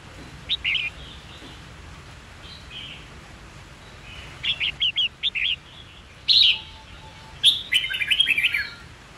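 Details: Red-whiskered bulbul with white cheeks, used to train young birds to learn song quickly and for fighting song: soft scattered chirps building into a fast series of clipped notes and a loud warbled phrase.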